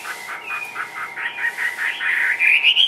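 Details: Short burst of caged Chinese hwamei song, ngũ trường style: a thin level whistle, then pulsing notes that thicken into a louder rising whistled phrase, over a low constant hum.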